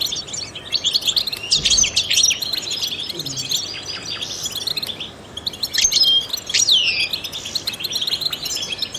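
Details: Trained European goldfinch singing to stimulate songbirds: bursts of rapid high chirps and trills, a short quieter gap near five seconds, then more twittering with a looping whistle.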